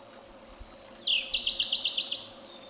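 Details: Siberian blue robin, a summer visitor to Japan, singing in spring breeding season to claim territory and attract a partner; a high thin note leads into a quick, rapidly repeated trill of bright chipping notes lasting about a second.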